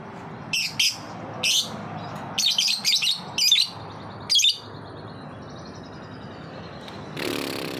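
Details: Lovebird ngetik song used as a lure to get other lovebirds singing: a string of loud, high, clipped chattering bursts, each under half a second, repeated irregularly, then a quieter stretch with a soft thin trill.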